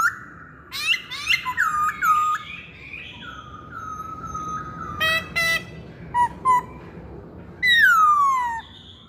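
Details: Lure song of a masked laughingthrush meant to set other birds singing: scattered whistles and clipped calls, one long steady whistled note, short bursts of sharp notes, and a loud, long descending slurred whistle near the end.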